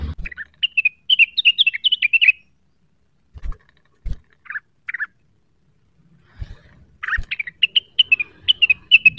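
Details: Cucak wilis (blue-winged leafbird) in full gacor neritik song, seeking a rival: two long runs of fast, sharp whistled chips, separated by a few short notes and soft knocks.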